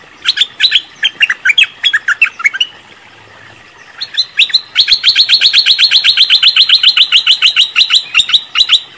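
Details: Cream-vented bulbul lure sound for trapping: a burst of sharp chirping notes, a brief pause, then a long fast series of bright, clipped notes repeated about two and a half times a second.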